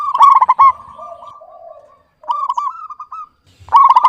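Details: Local zebra dove, clear-voiced, opens with a rapid burst of coos, holds a long level drawn-out note, then gives a softer run of rolling coos before another loud burst at the end.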